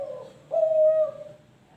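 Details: Young spotted dove, Kelantan type, about three months old, giving a single brief hollow coo after a fainter lower note.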